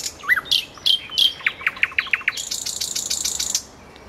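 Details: Nightingale by a road gives a looping whistle, a few high sliding notes, then a quick series of about eight hard clicking notes that runs into a harsh, dense rattle lasting about a second.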